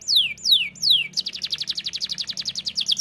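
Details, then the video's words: Canary gacor song opening with three long loud downward-sweeping whistles, followed by a fast, even trill of short high notes. "TERAPI BUNYI BURUNG KENARI GACOR!!"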